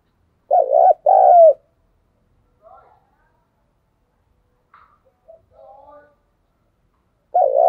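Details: Decoy spotted dove cooing meant to set other doves calling on a rainy day; two loud, husky coo notes open, followed by a quiet stretch of faint soft sounds, and another coo begins at the end.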